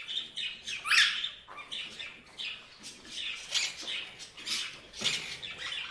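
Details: Parrots chirping: harsh, bright squawky chirps, one loud rising-falling call near the first second, then a steady run of short scratchy chirps and chatter throughout.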